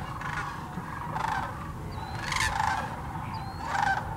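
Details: Sandhill cranes, thousands strong, at the Hiwassee Wildlife Refuge in Birchwood, East Tennessee: three loud, close bursts of rattling trumpet calls roughly a second apart over a constant background chorus of the flock. GoPro Hero 9 and Canon PowerShot recording.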